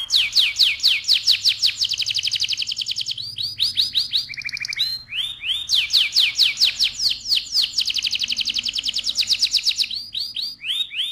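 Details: Loud, continuous canary song, sung to excite the male and ready the female for breeding: long rapid trills of high repeated notes, broken by a lower steady whistled phrase, then more fast rolling trills.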